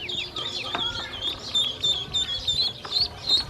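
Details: Hungry baby domestic ducklings being given feed and drinking water by a woman; a dense chorus of high, thin peeps, many overlapping, about three per second, some rising at the end.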